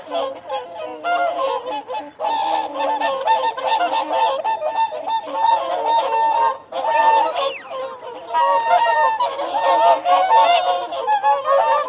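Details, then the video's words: A large gathering of whooper swans keeps up nearly nonstop honking as they feed and call territorially, nasal bugles piled on one another, with brief pauses near two and seven seconds, plus wigeon whistles and mute swans. "Whooper Swan. Feeding Calls & Territorial Calls"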